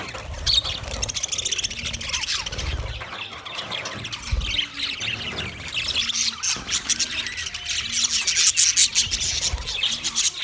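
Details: White male budgerigars chirping while mating: a long run of overlapping scratchy warbles and squeaks that grows busier and louder toward the end, with a pulsing low hum in the background.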